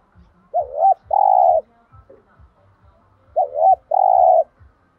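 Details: Spotted dove cooing to trigger other doves' calls: two identical phrases, each a wavering double-humped note followed by a long steady coo, about three seconds apart, with a soft regular low ticking throughout.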